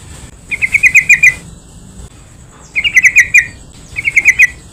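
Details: Yellow-vented bulbul chattering song meant to provoke other bulbuls into singing: three rapid bubbly phrases of five to seven liquid notes each, separated by brief pauses, over a faint high hiss.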